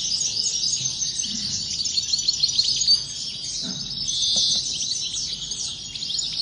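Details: Continuous high-pitched twittering of European goldfinch song, a busy stream of thin chirps and trills with a brief louder rush near the end, and soft background rumble.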